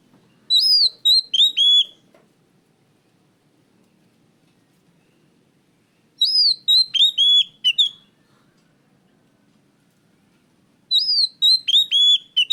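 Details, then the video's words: Kacer (oriental magpie-robin) singing loudly and clearly as a lure for other birds delivers three bursts of rapid, sweet whistled notes, repeated roughly every five seconds with quiet gaps between. "pancingan Kacer gacor suara keras plong"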